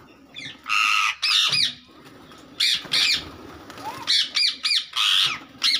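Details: Parrots fighting, giving harsh, loud squawks in bursts of about half a second, separated by short gaps, with some fainter chattering and a brief rising squeak between bouts.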